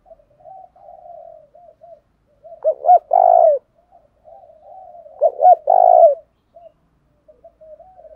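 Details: Spotted dove calling in the 'thổ đồng thúc đấu' style, a call used to stir up and lure wild doves. Low, soft murmuring coos run throughout, broken by two louder phrases of two clipped hoots and a drawn-out coo.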